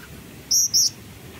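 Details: Black-winged flycatcher-shrike in song, two short, very high, thin whistled notes in quick succession, the second slightly longer, over a low background hum.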